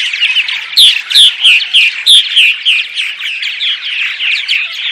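Purple martins give rich, gurgling chirps and creaky warbles, about three notes a second, in a busy overlapping chorus; no other sounds stand out.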